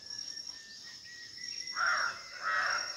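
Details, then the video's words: A Red-wattled Lapwing (Vanellus indicus) foraging on the ground gives two harsh, loud notes about half a second apart, over a steady high drone of insects; its loud alarm calls signal human or animal movement. "Vanellus indicus calls"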